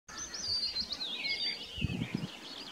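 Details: A thrush nightingale at Löderup on 19 May 2021 sings a rapid, unbroken run of high twittering and warbled notes, with a few low thumps from wind or handling near the end.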